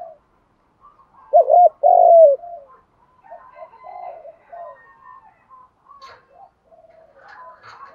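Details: Spotted dove coos from both sexes, meant to provoke decoy birds; one loud phrase of a quick double coo and a long sliding note, followed by softer scattered coos and faint chirps.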